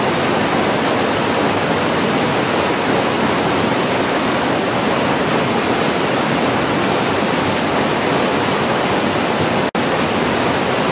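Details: Dipper chicks being fed at the nest give a series of thin, high, short begging notes, about two per second, nearly drowned by the loud, steady roar of rushing water.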